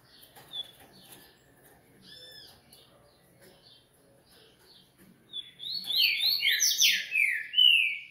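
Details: Coleiro (double-collared seedeater) from a breeder: scattered quiet chips, then a sudden fast burst of loud buzzy, zigzagging notes tumbling down in rapid succession, closing with a clear falling whistle.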